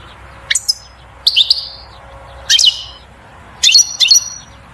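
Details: Song of a European goldfinch given to encourage the female to pair and build a nest. Short, separate bursts of high, sharp chirps and brief buzzy slurs come about once a second, with a faint hum behind them.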